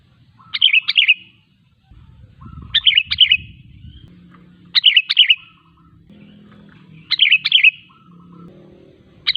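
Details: Repeated bubbly phrases from a sooty-headed bulbul, sung as a lure to make other bulbuls respond; a phrase about every two seconds over low rumbling background noise and faint thin tones.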